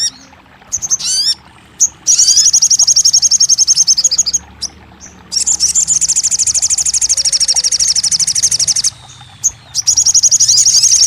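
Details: Song of a crested jay, played to get silent birds singing: a few curved chirps, then long, rapid, high, buzzy rattles lasting several seconds each, broken by brief pauses and single clicks.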